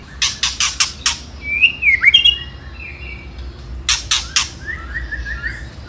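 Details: White-rumped shama song in the ketrekan style, used as a lure to provoke rival birds: bursts of dry rattling clicks open and close, framing sharp whistled notes that slur up and down, then a softer warbled phrase.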